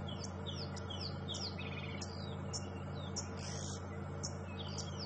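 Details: Oxpeckers overhead on a sunrise safari drive on 13 February 2015 give quick, thin high chirps and short twittering notes several times a second over a steady low engine-like rumble.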